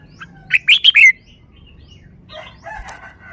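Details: Caged red-whiskered bulbul sings one crisp wild-style phrase of four rapid, looping whistled notes, then a rooster's low harmonic crow rises faintly behind it.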